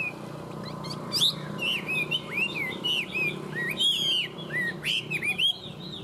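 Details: A tame Chinese hwamei sings a lively sequence of loud, bending whistles and quick high notes, with a fast trill midway and a steady low hum in the background.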